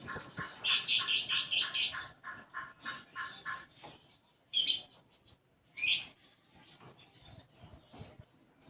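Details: Olive-backed sunbird (konin) singing vigorously with a repertoire filled with sparrow-like phrases: a dense burst of chattering chirps, then short high notes and scattered sharp twitters after a near-silent gap.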